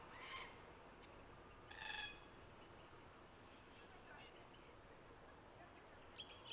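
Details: Red-tailed black cockatoos at King's Park, Perth, Western Australia, on 29 October 2023 give two rolling, grating calls near the start, with fainter higher chirps from other birds and a steady background hiss.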